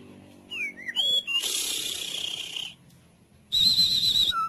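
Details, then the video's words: White-rumped shama song played as therapy for silent, sluggish caged birds: sliding whistled notes and a short rising slur, a harsh buzzy rasp held for over a second, then a quick high trill ending in a lower whistle. "Musik terapi untuk murai bisu dan loyo"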